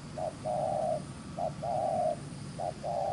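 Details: Spotted dove from the fields, fast 'gù xiết' cooing: three phrases of a short hoot followed by a long, flat, sustained coo, evenly spaced over a low humming background.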